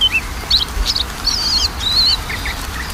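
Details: Lure song of a magpie-robin for a bird that rarely sings: rapid warbled whistles and wavering slurred notes run together, followed by a few short chirps, with a faint constant hiss behind.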